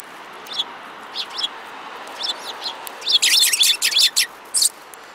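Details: Several sparrows, including one with a yellow beak, recorded on 5 February 2018: short high chirps, scattered at first, then a dense burst of overlapping chirping about two-thirds of the way through, over a steady soft background hiss.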